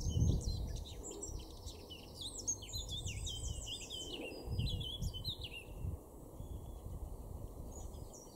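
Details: Male Eurasian blackcap singing in a garden in Weener, East Frisia, northwest Germany, April 2024: a rich, fast warble of chattering and fluty notes with several descending slurred phrases, delivered in a continuous stream over low background rumble.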